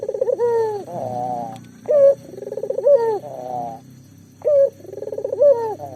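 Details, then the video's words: Local collared dove calling to encourage mute doves to call, its pulsed rolling coos and short brighter notes repeating over a steady low background hum. "burung puter lokal gacor"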